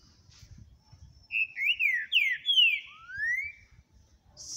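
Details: Green-winged saltator singing a rich, mellow phrase of slurred whistles, several sliding downward before a final rising note, over a faint low rumble; recorded 9 April 2022.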